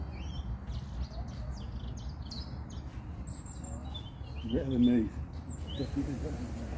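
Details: Robin singing his heart out at a garden centre, giving a run of high, quick, varied twittering notes, followed by a person's voice speaking over constant low background hum.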